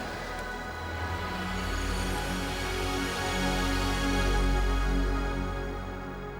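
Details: Layered instrumental background music with low sustained tones and soft rising swells; no animal voice can be picked out.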